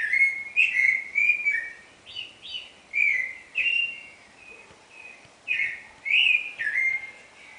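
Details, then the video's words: Clay-colored thrush (yiguirro) singing at dawn, 4:14 am on 9 April 2009: a run of clear, slurred whistled phrases with rising and falling notes, delivered in short bursts of one or two per second, with quiet pauses between groups. "Serenata al alba de un yiguirro"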